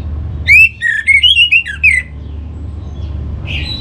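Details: Orange-headed thrush song used as a lure for singing: a short phrase of squeaky, slurred up-and-down whistles lasting about a second and a half, followed by quiet hum and a faint note.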